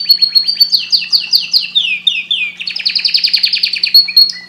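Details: Canary delivering a fast string of falling sweeps, each repeated several times, then a dense rising rattle of high notes.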